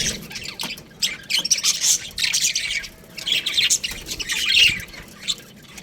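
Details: Young budgies in an aviary, uneven bursts of high scratchy chirps and squawks separated by softer moments, several birds calling at once.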